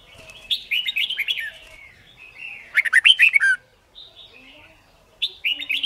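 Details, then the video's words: Red-whiskered bulbul competition singing for song training: continuous rolling warbles with a loud burst of rapid chirpy notes near the middle and another short phrase at the end. "Luyện Chim Chào Mào Má Trắng Học Giọng Nhanh. Chào Mào Hót / Chào Mào Hót Đấu/Kích Bổi Hót"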